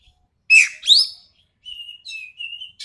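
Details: Sumatran racket-tailed treepie (ekek keling), voice described as sharp and harsh, in a training recording: two loud rasping, buzzy bursts, then a run of thinner, steady whistled notes broken by short gaps, ending in another harsh burst.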